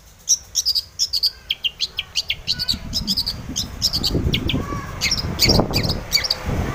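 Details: Long-tailed shrike song of quick high chirps and short whistles in a steady series, while a rising low rumbling noise builds through the second half.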